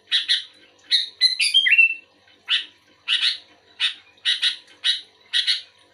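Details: Energetic sooty-headed bulbul song in reply to another bulbul: a few raspy chirps, a fast jumble of high whistled and buzzy notes, then evenly spaced paired chirps.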